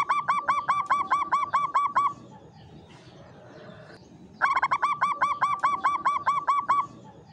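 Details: Klowongan song of a caged Javanese zebra dove in a classic Mataram cage: two quick bursts of about ten ringing, rich coo notes each, with a brief noisy lull between them.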